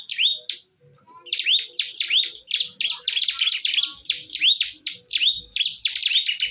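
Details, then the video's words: Fighting bar-winged prinias: a lone high chirp, a brief pause, then a long, rapid run of bright swooping chirps, steady and high-pitched. "PERTARUNGAN SENGIT BURUNG CIBLEK"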